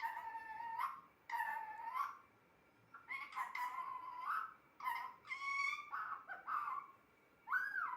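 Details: Pet parrot chattering indoors in a series of nasal, word-like bursts, some long and gliding, others short and clipped, spaced irregularly over several seconds.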